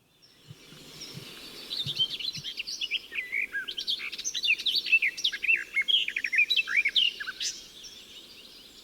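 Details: Garden warbler singing in a natural recording, a bird that sings willingly in the middle of the day and into June and July: a long, fast babbling warble of varied chirps and slurred notes, unbroken for about seven seconds, with faint low rumble beneath.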